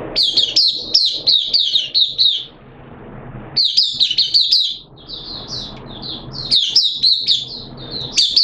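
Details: White-eye kept in a cage sings on 13 September 2022 during the second day of deworming: rapid, high twittering runs, a pause of about a second, then more thin warbled notes.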